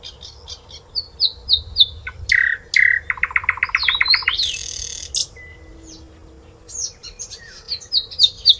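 A flycatcher sings a lively, varied song: clear high whistles, a fast rattling trill and brief buzzy notes, delivered in quick bursts against a faint low hum.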